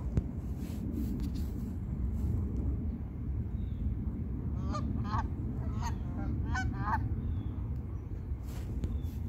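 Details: Geese on a pond give a quick run of about eight nasal, harmonic honks bunched together mid-recording, some doubled, over a constant low rumbling background noise.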